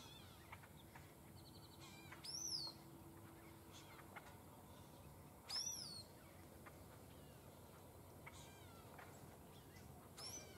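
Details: Possible first-year crimson-collared grosbeak at Laguna Atascosa National Wildlife Refuge, Texas, 31 January 2016, giving two high, thin whistles, each sliding sharply downward, about three seconds apart, with faint chips and steady background hiss.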